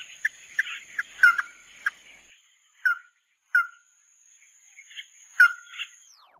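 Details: Chim mắt đỏ, the red-eyed bird, sings tí nỉ-style: scattered short whistled notes and downslurred chips separated by pauses, with a softer warbled phrase near the end.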